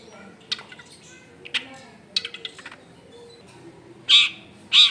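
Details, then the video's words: Long-tailed shrike recorded at home in a densely populated area: a few soft scattered chirps, then two loud, harsh, drawn-out screeches close together at the end. "CENDET GACOR FULL ISIAN MEWAH"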